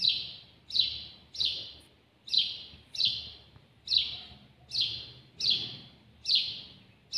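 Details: Close-range House sparrow song made of repeated sharp, slightly falling chirps, about ten in seven seconds at a fairly even pace, each fading quickly, against a calm, near-silent background.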